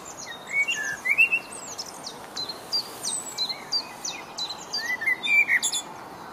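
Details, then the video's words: Male Common Blackbird singing on 5 June 2015 in Rombergpark botanical garden, Dortmund, recorded with a camera: low fluted whistled phrases answered by bursts of thin, squeaky high twittering notes, repeated through the phrase against quiet background hiss. "Blackbird Song"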